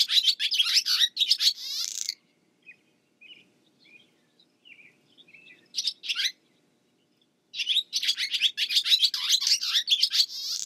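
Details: Barn swallow (Hirundo rustica) singing: two dense bursts of rapid high chirps and twittering notes with short trills, separated by a quieter gap of scattered soft twitters and a brief burst mid-way.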